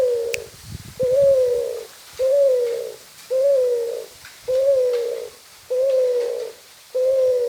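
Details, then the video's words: Spotted dove in lively song, giving a steady run of low, soft coos, each a rounded note with a slight rise then fall, repeated roughly once a second for seven phrases, quiet background. "Burung Cuhu Gacor doorrr"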